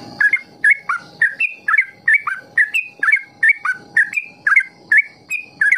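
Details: A captive yellow-vented bulbul, played to prompt other bulbuls to learn a long song, gives quick, bubbly, slurred phrases of mid-pitched notes, about two per second in a steady run, over a faint background hiss.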